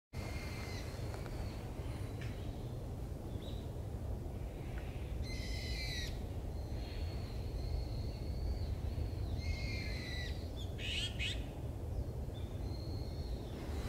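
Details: Azure-winged magpies in a dead tree, Tokyo, 31 January 2021, giving harsh, nasal, rasping calls, a few short bursts and drawn notes spaced irregularly, over a constant deep rumble of wind or distant traffic.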